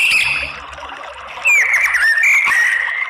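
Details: White-rumped shama song used to provoke fighting song in males: a soft start, then a loud clear whistle slurring down and held steady, with faint high notes above.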